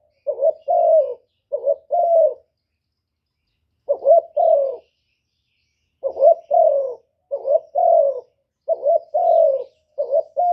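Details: Spotted dove cooing repeatedly, loud and close, in a series of two- and three-note phrases. Each phrase holds a rounded, slightly falling coo, separated by short silences. No other sounds.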